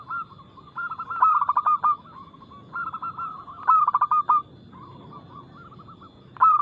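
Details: Local zebra dove singing with a loud, crystal-clear, fast-paced voice, a lure recording meant to provoke answering song. Bursts of quick stuttered coos alternate with softer sustained cooing, the loud bursts about every one and a half seconds.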